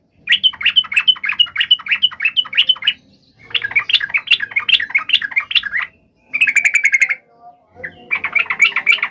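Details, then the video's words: Fierce, emotional fighting song of the yellow-vented bulbul, aimed at making other bulbuls reply: repeated chattering phrases, long bubbly runs, and a buzzy rapid trill, with brief gaps between sections. "trucukan gacor TARUNG FULL EMOSI TAJAM"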